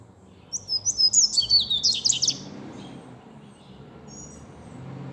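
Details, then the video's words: Seedeater singing a two-second run of bright, rapid, high twittering notes, followed by quiet background noise and a faint thin note. "corbata cantando"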